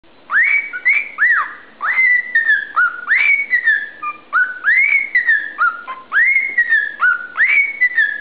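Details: A pet cockatiel whistles the Andy Griffith theme song at 1 am in clear, rising and sliding notes.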